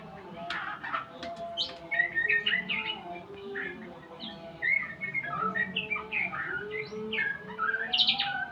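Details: White-rumped shama in a full mastering session: a long, varied run of whistles, chirps and rattling trills, loud and busy throughout, with a steady low hum behind.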